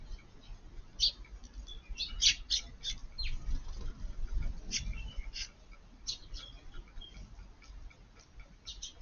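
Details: Eurasian tree sparrows feeding at midday in a garden on 20 June as light rain begins give short, bright chirps at an uneven pace, sometimes in quick pairs, over a low steady rumble of rain.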